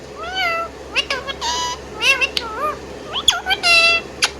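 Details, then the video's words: Pet Indian ringneck parrot making a quick series of wavering whistles, sharp clicks and buzzy harmonic notes, closely strung together. "Indian Ringneck Parrot Singing Whistling and Chirping Sound"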